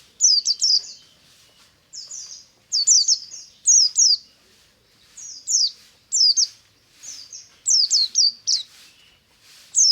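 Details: Buxtomi white-eye (pleci) singing ngalas in the morning, used as a lure for other white-eyes: regular bursts of three to five high, thin, downslurred whistles roughly every second, on a clean, quiet background.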